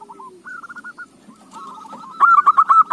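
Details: Zebra dove song serving as a lure for other doves. Quiet, rolling coos build to a sudden loud volley of rapid, clipped notes at the end.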